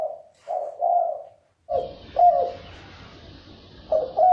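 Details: Spotted dove (cu gáy) thúc bổi cooing: soft low hoots, then a noisier stretch with a background hiss as further clipped coos continue.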